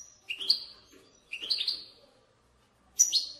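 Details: European goldfinch bitbita song for stimulating goldfinches to sing. Two rising, twittering phrases are followed by a thin, high, sharp note, with faint hiss behind them.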